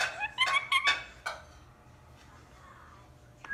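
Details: Pet ring-necked parakeet giving a brief burst of shrill, chattering squawks, followed by a near-silent room and a faint rising note at the end.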